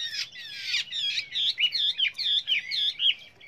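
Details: Chinese hwamei, a trainer bird singing many varied voices: a harsh burst followed by bright, looping whistled notes repeated in quick succession.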